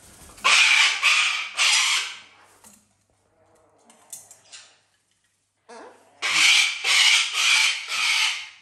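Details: An indoor pet parrot, outraged at not being allowed outside, gives loud, harsh squawks in two bursts of two or three calls each, with softer chatter and faint household sounds in the pause between.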